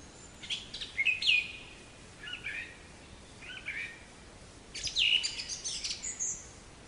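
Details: Black-capped chickadee giving scattered calls: quick downslurred chips, soft buzzy blurred notes, and a final high thin whistle, spaced irregularly over several seconds with light background noise.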